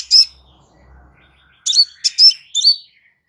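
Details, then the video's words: Crimson sunbird on a calm tutor recording for kept birds: one high chirp, then a quick run of four sharp, metallic notes ending in a short whistle, over a quiet background. "Suara SANTAI Kolibri Sepah Raja"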